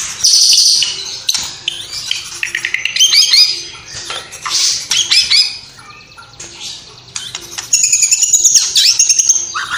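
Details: Cililin white-rumped shama in vigorous song stuffed with copied sparrow, lovebird fight and sooty-headed bulbul sounds; dense, rapid high chirps and scratchy chatter, fading midway before a bright buzzy phrase returns.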